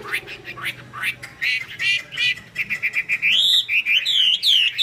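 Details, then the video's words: Chinese hwamei song in the 'hót xòe' style with eagle-wing display. Quick buzzy chirps come first, then a run of clear, looping whistled notes repeated about three times a second. "chim họa mi hót xòe, chơi cánh đại bàng"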